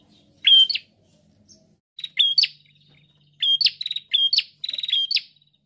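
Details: A chatty prinia delivers quick strings of high whistled notes, each ending in a buzzy upward snap, the phrases bunching closer together toward the end.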